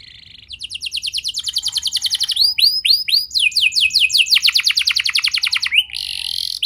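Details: Canary song for triggering young canaries to sing. A trill gradually builds in loudness, gives way to looping whistled swoops, then more fast, pulsing trills of repeated notes.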